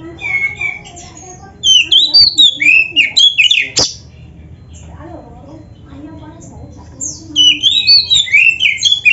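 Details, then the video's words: Oriental magpie-robin singing richly, used to train caged magpie-robins to sing: dense runs of twisting whistled notes and squeaky slurs, a sharp click, then a softer lull before another fast whistled burst. "MASTERAN KACER GACOR FULL ISIAN JOS"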